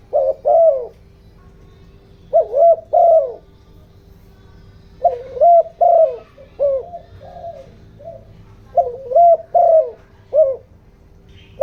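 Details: Decoy spotted dove in 'giọng đồng' voice, used to excite wild doves: hollow coos in pairs, then a busier run of quick coos and shorter notes, over a faint steady hum.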